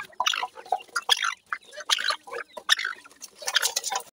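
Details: Grey francolin (dakhni teetar), recorded to compare male and female voices: harsh, broadband clucking notes in short bursts, about one and a quarter per second, irregularly spaced.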